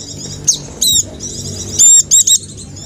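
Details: Dakun jawa white-eye singing a lure meant to set reluctant caged white-eyes singing; a steady high chattering twitter broken by several loud piercing whistled notes.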